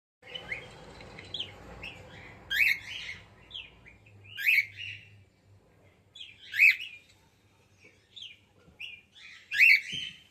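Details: Female cockatiel giving bright, chirped calls that rise and fall sharply, repeated roughly every two seconds with soft chatter between them, indoors with faint low background hum.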